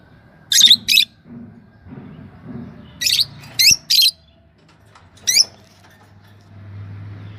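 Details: Shrill twittering from a yellow Fischer's lovebird pair: a quick cluster of high squeaky chirps, then one more, before a low steady hum takes over.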